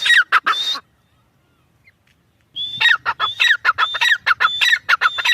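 A partridge gives loud, harsh, repeated notes, each a sharp rising then falling squawk, about two per second after a brief pause.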